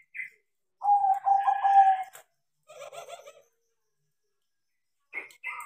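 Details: Crossbred zebra dove, tame and trained to sing often: a rolling phrase of bubbling low coos sliding into a level purr, followed by a softer, rougher burst of notes and a short higher call at the end.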